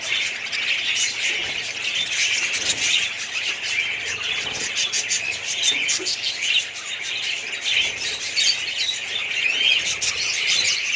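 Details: Budgerigar colony in full voice: a dense, unbroken chorus of high chirps, warbles and short squeaks from many birds at once, steady in loudness throughout.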